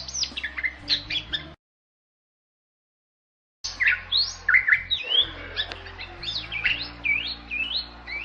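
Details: Song of a Bali myna, a rare bird protected in Bali: a burst of varied notes, a two-second silence, then a long tumbling stream of squeaky whistles, rasps and slurred phrases.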